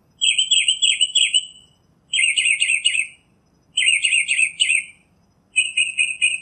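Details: Northern mockingbird singing outdoors: four trilled phrases of repeated notes, each lasting over a second, separated by short silences, the final phrase steadier and evenly pulsed.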